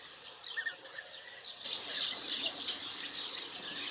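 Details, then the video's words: European bee-eaters in Extremadura, Spain, where they arrive in spring, give soft, rolling, liquid calls, several birds overlapping in a steady high chatter over light background noise. "ABEJARUCO EUROPEO European Bee-eater"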